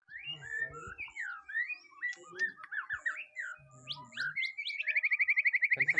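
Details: White-rumped shama undergoing its first mental test: a run of varied whistled phrases, sliding up and down, ending in a fast, even trill of repeated notes. Voices and low knocks sound faintly in the background.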